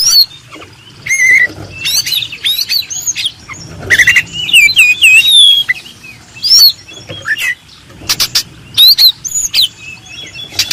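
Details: Oriental magpie-robin singing a master song for contest birds, a lively mix of whistled loops, trills and clicky chirps in bursts separated by brief quieter gaps.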